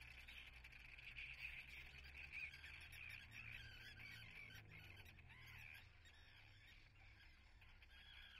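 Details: Nesting common terns at Atlit, 10 June 2010: rasping, scratchy calls from several birds, loud and dense in the first half and then thinning out, with a low steady hum underneath.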